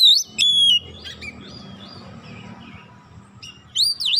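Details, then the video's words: Song of a white-rumped shama meant to provoke rival shamas to sing: a clear whistled phrase at the start, a long quiet stretch with faint notes, then a sweeping, twisting whistle at the end. "100% gacor Kacer lain sekali pancing"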